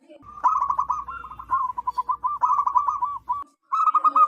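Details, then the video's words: Wild local zebra dove with a big, ringing voice, used to lure others: dense rolling trills of short coos for over three seconds, brief silence, then another quick burst. "PERKUTUT LOKAL ALAM GACOR SUARA BESAR DAN LANTANG COCOK BUAT PIKAT BURUNG PERKUTUT"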